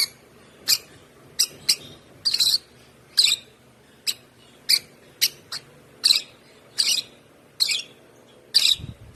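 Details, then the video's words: One-month-old African lovebird chick, hand-fed since two weeks old, chirping steadily: short, sharp, high-pitched chirps at irregular intervals, roughly one per second, some doubled, in a quiet room. "Chirping sound of this lovebird"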